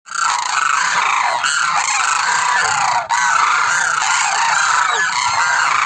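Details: Demoiselle crane, known locally as koonj: a dense, continuous chorus of many overlapping harsh, honking calls with a brief dip near the three-second mark, and no other clear sounds.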